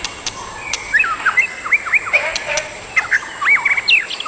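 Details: Adult pair of white-rumped shamas, free in the wild. A lively varied song of looping, swooping whistles and sharp upslurred notes, delivered in quick bursts. A constant thin high tone and faint clicks sit behind it.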